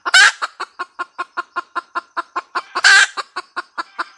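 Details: Red junglefowl hen cackling: a steady run of short, hollow clucks about five per second, broken twice by a loud, harsh, drawn-out squawk, with a faint thin high whine in the background.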